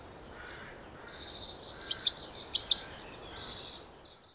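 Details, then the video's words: A great tit (Parus major) sings a brief run of about six high, clear, ringing notes in quick paired succession, with faint background hiss and distant bird notes. "𝗚𝗿𝗲𝗮𝘁 𝗧𝗶𝘁 (𝟭𝟴) 𝘗𝘢𝘳𝘶𝘴 𝘮𝘢𝘫𝘰𝘳 — garden bird songs and calls"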